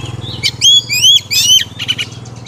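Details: Female Oriental magpie-robin singing to stimulate males: a short run of bright whistled notes, some sliding upward, in loud phrases with brief pauses. A low engine-like hum runs underneath.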